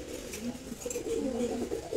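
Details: Silver Gola pigeon pair indoors, continuous low gurgling coos with a wavering, bubbling quality filling the short stretch, faint clicks behind.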